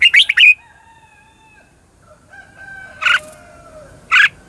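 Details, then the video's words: Lure red-whiskered bulbul in competitive singing, used to train and provoke other birds. It opens with a quick cluster of sharp chattering notes, then faint long steady whistled tones, then two more harsh bursts. "Cách luyện chào mào mồi - Gọi Bổi Ché Chéc Căng Đét"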